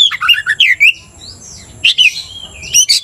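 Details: Oriental magpie-robin stirred to aggression by a rival kacer, giving rapid squawky, sliding notes in short bursts, a brief pause with a faint whistle, then more harsh chattering phrases.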